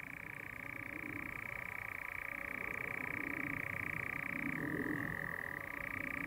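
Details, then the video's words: European nightjar churring during courtship at dusk, when the birds also clap their wings in flight. A long, unbroken mechanical trill holds a steady pitch, drops slightly about two-thirds through, then rises back to the first level. Faint low background rumble. "Courtship Nightjars / Nachtzwaluwen baltsen"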